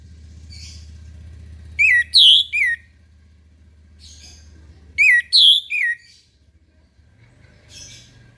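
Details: Orange-headed thrush morning song: two loud phrases about three seconds apart, each a quick run of three or four clear, swooping whistles, with faint softer notes between and a low hum beneath.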